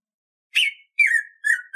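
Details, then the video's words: Song of a black-throated grosbeak (Saltator fuliginosus), recorded for training captive birds: a phrase of three loud whistled notes, each sliding downward, the last note cut short, with no other sounds behind. "Canto do BICO DE PIMENTA para Ensinamento e Treino (Pimentão)"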